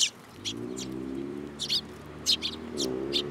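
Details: Sparrows hopping onto a hand at Tenmangu shrine, 8 July 2022. Scattered high chirps in pairs sit over a steady low droning hum in the background.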